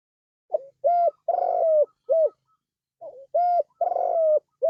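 Spotted dove giving soft, mellow cooing phrases: a short lead-in note, two longer level coos and a clipped final note. The phrase is repeated twice.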